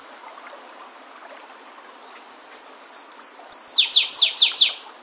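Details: Flavescent warbler (canário-do-mato), Myiothlypis flaveola, singing in the wild: a run of thin, high, slightly falling notes speeds up, then ends in four loud, sharply descending slurred notes about a quarter second apart. A faint steady hiss sits underneath.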